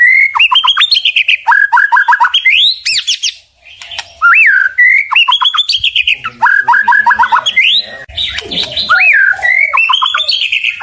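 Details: White-rumped shama, a kept songbird, pouring out a long song of rising whistles and rapid stuttered note series repeated in several bouts, separated by a short silence.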